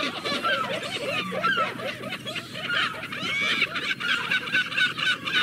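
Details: A crowd of seagulls cries at once, producing a busy wall of short, harsh, honking notes about four a second, with higher squealing cries layered over them.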